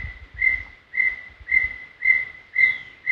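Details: Brown tinamou singing at Serra do Brigadeiro State Park, a clean recording: pure steady whistled notes on one pitch, repeated about twice a second, with a faint low rumble underneath.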